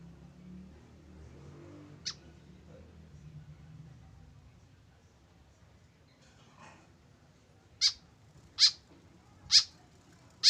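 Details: Tame white-breasted woodswallow alone without a companion: after faint voices and a single thin note, four loud harsh buzzy calls arrive in quick succession, about one per second.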